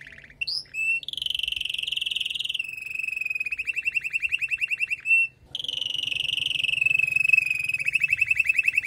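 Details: Female canary calling to prepare and stimulate the male after moulting: long, rapid rolling trills of buzzy mid-pitched notes, broken by brief higher whistled notes near the start and the middle.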